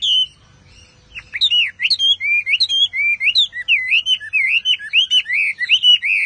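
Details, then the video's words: Chinese Hwamei singing hard: after a brief pause, a rapid string of varied looping and dipping whistled notes, clear and repeated without break. "Họa Mi Hót Cực Căng"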